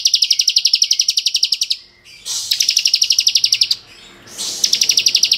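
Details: High-pitched ngebren trills from a bar-winged prinia of the kristal type, played as master song to excite raw prinias: three extended bursts of rapid, regularly spaced chipping notes, each nearly two seconds long, with brief pauses between.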